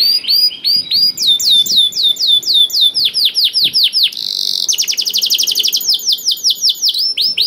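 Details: Canary in vigorous song used as a lure for canaries that rarely sing. The song runs through chained tours of sweeping slurred notes, a short buzzy burst, then a fast trill, and ends with more slurred whistles.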